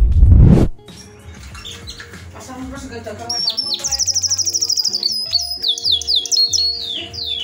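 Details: A Scotch Fancy canary sings rapid, even trills and high sweeping whistles, running fast pulsed rolls midway. A burst of speech opens, with soft background music throughout.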